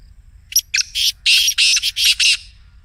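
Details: Black Francolin "masti" call, meant to make a caged francolin call: a rapid run of about seven harsh, rasping, broadband notes over two seconds, the first ones short and clipped, the later ones longer and grating.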